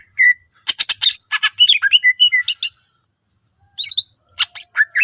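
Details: Greater green leafbird giving a varied song to make other leafbirds sing: a single whistle, then a rapid cluster of sharp, buzzy and whistled notes, a short pause, and a few final chips.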